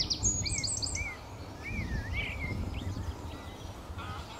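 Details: Reed bunting at RSPB Fowlmere reedbed in March, early morning, giving a few thin, high, quick calls in the first second, with lower slurred whistles from another bird and steady low wind rumble.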